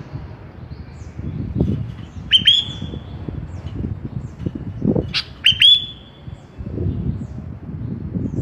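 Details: Kutilang (sooty-headed bulbul) from masteran training audio: two brief, crisp whistled notes with sharp onsets and short downward tails, about three seconds apart, amid low rumbling noise.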